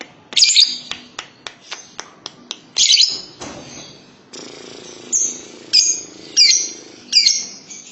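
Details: Lovebird calling in a room: a run of sharp, clicking high chirps spaced about every third of a second, followed by louder squeaky chattering notes repeated roughly every half second.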